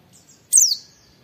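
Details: One sharp, very high whistle from an oriental white-eye, dropping steeply in pitch. Part of a "wit wit" training recording used to stimulate other white-eyes to sing. Quiet background.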